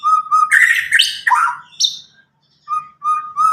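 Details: Young white-rumped shama from Medan, about nine months old, just out of juvenile plumage, singing loud and clear without song tutoring: steady mid-pitched whistles broken by a burst of rich, varied warbled notes.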